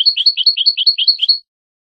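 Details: European goldfinch on a tutor recording for young birds, repeating a clear two-note phrase about seven times in under a second and a half, a high note followed by a lower slurred one, then falling silent.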